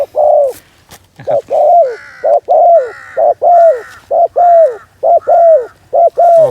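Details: Spotted dove serving as a decoy to draw in wild doves. It repeats loud, mellow coos in a steady rhythm, each a short note followed by a longer falling one, after a sharp knock at the start.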